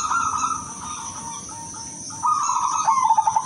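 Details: Silver zebra dove cooing, used as a lure for other doves and for relaxation. A mellow trilled phrase is followed by a quieter gap, then a louder burst of quick pulsed notes under a constant high-pitched hiss.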